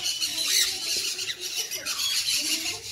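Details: Sun conure screeching in loud, raspy bursts, with two strong harsh squawks separated by a brief lull, set against continuous shrill background chatter.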